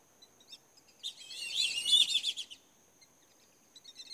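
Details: Black-bellied whistling ducks give a one-and-a-half-second burst of high, squeaky whistled notes that overlap as several birds call together, over a thin, steady high hum; whistling duck.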